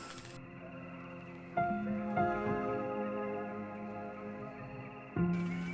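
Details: Soft ambient new-age music with sustained tones and chords, no animal sounds.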